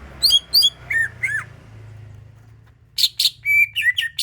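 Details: Greater green leafbird lure song to encourage other birds to sing: paired high downslurred notes and falling whistles, a short quiet gap with low hum, then a rapid mix of sharp chips and clear whistled notes.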